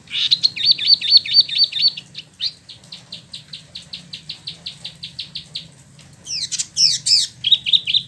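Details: Spot-throated babbler, locally called Wambi Mini or Tieu Mi, kept in Bandung and imported from China and Vietnam, delivers its ngeroll song: a fast even string of about twenty clipped notes, then louder, fuller bursts near the end.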